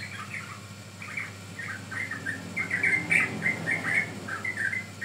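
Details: Yellow-vented bulbul song used as a lure and master recording for training birds; short bubbly, warbled phrases repeated rapidly and unevenly, louder in the middle, over a steady low hum.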